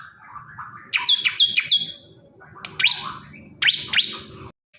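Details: Male bar-winged prinia calling a female: three clipped high notes, a single rising chirp, then a pair of sharp notes, with a soft low hum underneath.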